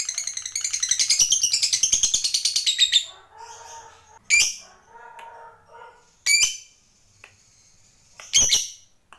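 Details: Fighter lovebird in ngekek style: a three-second run of rapid, evenly pulsed chatter, followed by several separate sharp squawks spaced about two seconds apart, with softer low murmuring between them.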